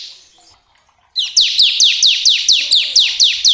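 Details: Bar-winged prinia singing as bait to excite caged birds: after faint chatter, a steady series of loud, sharp, downslurred high notes repeated about four times per second.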